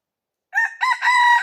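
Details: Wild red junglefowl crowing, recorded 5 February 2025: a short, loud crow opening with a brief note, a dip, then a sustained harsh, slightly falling tone, with no other clear sounds.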